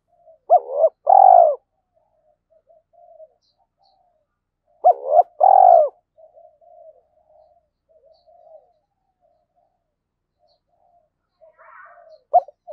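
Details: Spotted dove kept as a decoy, cooing to draw wild doves. Paired phrases, each a quick arched note and a loud hoarse coo, recur roughly every four seconds, with soft murmuring between them and a faint chirp near the end.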